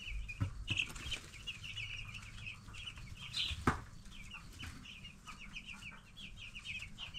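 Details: Ten-day-old broiler chicks peep in fast, irregular runs of high chirps, several birds at once, with a thump and a steady low hum.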